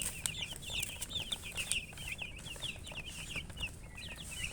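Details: Chickens chirping with quick, high, squiggly peeps that follow one another almost without pause, several birds overlapping over a constant low hum.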